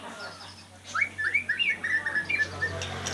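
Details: Oriental Magpie-Robin delivering a rapid series of short, clear, zigzag whistles at a steady pitch over a faint low hum.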